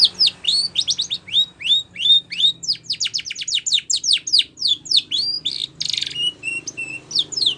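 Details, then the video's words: Spanish Timbrado canary song meant for training canaries: rapid series of high descending whistled sweeps, short trills and bell-like metallic notes in varied phrases, a brief buzzy burst near the end. "Spanish Timbrado song For Training"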